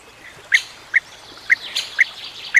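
A European bee-eater gives five short, liquid, rolling calls, about one every half second, over a soft background hiss.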